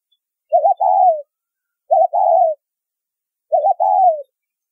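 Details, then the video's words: Three phrases of a spotted dove's 'thúc rút bổi' trapping lure call. In each, a brief wavering coo runs into a longer, gently falling note, at irregular gaps of about 1.5 seconds. The background is clean. "Siêu Phẩm Tiếng Chim Cu Gáy Thúc Rút Bổi , Tông Còi Âm Quá Hay"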